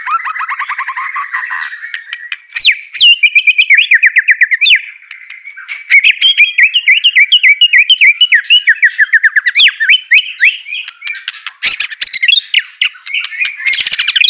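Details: A caged white-rumped shama in song training delivers a long mimicking song of rapid chattering trills, fast repeated whistled notes in runs, and brief harsh rasps.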